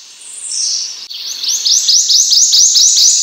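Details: Prothonotary warbler (Protonotaria citrea) singing. The song opens with a long, high, thin note and then a quick series of about eight sharp, bright, repeated chips, evenly spaced, growing slightly louder. No other sounds stand out.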